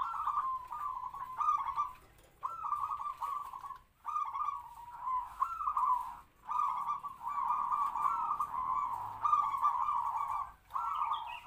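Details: Decoy zebra dove, captive-bred and about three to four years old, kept to lure wild doves, delivering a steady run of purring, trilled coos in short repeated phrases with brief gaps, in a medium kwor kwor voice.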